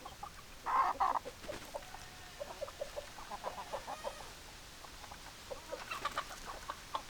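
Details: Chickens, hens and roosters together, giving short clipped clucks in uneven bursts, one loud double cluck near the start, then quicker softer clucking runs over steady background hiss.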